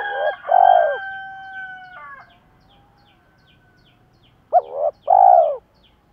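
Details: Spotted dove, male and female, calling to stir up other doves for decoy training: a low coo, then a long steady tonal sound fading away, then a short rising note and a fuller low hooting coo.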